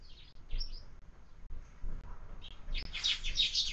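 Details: Sparrows at breakfast at a window bird feeder, fed year-round: scattered high chirps early, then a dense, rapid chattering of overlapping tweets in the final second, over a faint low hum.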